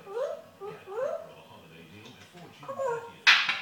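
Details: African grey parrot indoors that swears and talks in a yam yam accent, producing a few rising voice-like syllables in a row, then a harsh noisy burst at the end.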